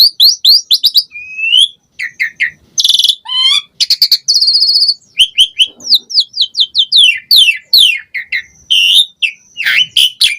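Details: Energetic, varied Asian pied starling singing, a master track meant to get starlings singing quickly. Dense run of sharp falling whistles, buzzy rattles and chattering notes, barely pausing, with a harsh trill near the start and fast repeated chirps throughout.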